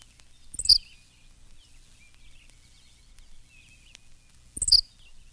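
Henslow's Sparrow gives two brief, high, hiccuping 'tsi-lick' songs about four seconds apart, with a faint low thump and quiet background hiss.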